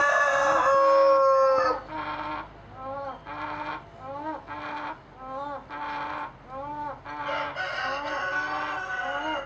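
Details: One hen making an unexplained weird noise; after a loud opening squawk, a series of short nasal rising calls about once a second, with a low background hum.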